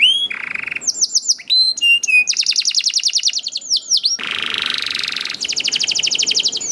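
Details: Lure song of a young canary meant to make other canaries sing, mixing short whistled notes, bright level tones, rapid staccato trills and a dense buzzy roll, all delivered at full volume.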